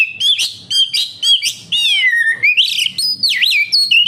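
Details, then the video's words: Oriental magpie-robin (kacer) singing gacor as a lure for captive birds: rapid rising and falling whistles, a long sliding phrase, then sharp looping notes. "Suara burung Kacer, cocok buat Pancingan Kacer bahan agar tambah Gacor"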